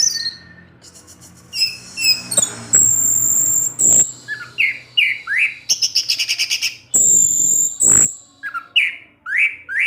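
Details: Orange-headed thrush singing in the evening, provoking others of its kind; busy mix of long high whistles, rapid chattering trills and repeated falling slurred notes.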